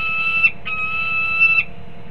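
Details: Peregrine falcon at its nest in Harrisburg, Pennsylvania, 20 December 2020: a short whine followed by a longer steady, nasal wailing note, with a constant low electrical hum beneath.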